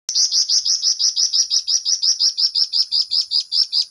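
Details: Flamboyan in full, lively song with a long, fast rolling phrase: a steady run of about seventeen bright, high chirped notes, roughly four per second, each falling slightly, evenly repeated without pause.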